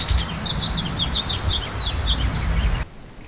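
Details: A brown-headed cowbird perched up in riparian trees on the Colorado River near Moab, Utah, heard from a paddleboard, gives a quick series of thin, high, slurred chips over wind and water rumble.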